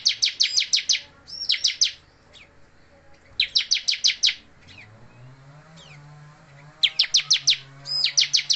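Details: Bar-winged prinia in moult, singing tirelessly: rapid sequences of six to eight crisp, high chirps repeated after short silences, over a faint low hum.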